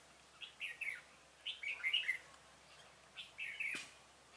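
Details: Red-whiskered bulbul used as a decoy to call in wild birds during trapping on 26 February 2018; short bright warbled phrases around two to four kilohertz in three bursts separated by brief pauses, with a faint click near the end.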